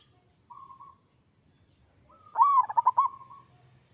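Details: Local zebra dove in strong song: a soft short coo, then after a pause a loud phrase, an arched sliding coo breaking into four quick rolling pulses and a fading tail; quiet low background hum.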